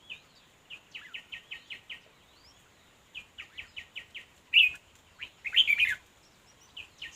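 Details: Red-whiskered bulbul near a decoy fight-trap: runs of short clipped notes repeated about once a second in groups, broken by two louder bursts of scratchy warbling.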